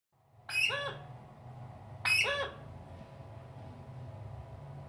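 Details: Pet parrot indoors giving two short, sharp, harsh vocalizations with descending tones about one and a half seconds apart over a steady low hum.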